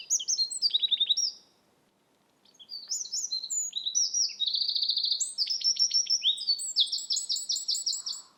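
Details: Eurasian wren song recorded in Estonia: explosive, high, fast-paced phrases with rattling trills and sharp chips, a short pause after about 1.5 seconds, then a long second burst of rapid trills.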